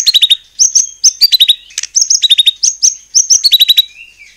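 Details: White-rumped shama singing to stir other shamas into responding: quick repeated phrases of three or four sharp, high, descending chirps with clear whistled notes, given in short bursts about every half second.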